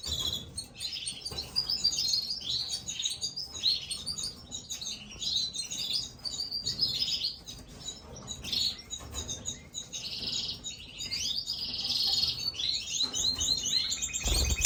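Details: Gloster canary nestlings begging while a parent feeds them: long, dense, frantic high-pitched chirping in waves of intensity, with a few soft knocks and a low thump at the end.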